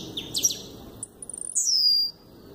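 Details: Double-collared seedeater, tiziu of the chacal style, kept as a cage bird: a few high scratchy notes, a pause, then a quick burst of rapid ticks ending in a loud, sustained, downslurred high whistle.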